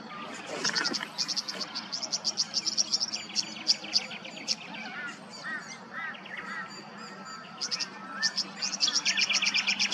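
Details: Queensland, Australia: a tawny grassbird delivers long runs of rapid high chips, broken by a few lower curved notes mid-way, then resumes the quick metallic series; other birds chatter faintly throughout.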